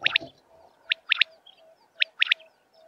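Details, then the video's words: A common quail gives its sharp, liquid three-note 'wet-my-lips' phrase twice, about a second apart, over a faint low hum. "common quail sounds"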